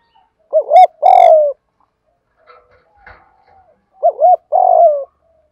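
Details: Spotted dove used as a decoy, cooing close with a rich voice. There are two phrases, each a bouncing double coo and then a long sliding coo, with faint chirps in the pause between them.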